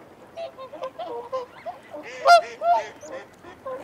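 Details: Whooper swan feeding and territorial calling: soft scattered honks build to two loud, ringing trumpet notes just past the two-second mark, with quieter nasal calls trailing after.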